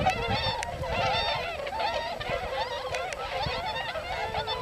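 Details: A wintering flock of several hundred tundra swans feeding on fallen rice grain in paddy fields of the Nogi plain, Yasugi, Shimane, Japan, keeps up a dense chorus of overlapping, bugling, slightly nasal whoops and honks, with sharper notes rising above.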